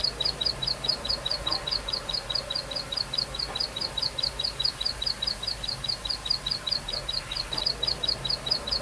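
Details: Wild plain prinia singing vigorously: a long, unbroken run of high, clipped chirping notes, about two to three each second, held at an even pitch over a faint low hum.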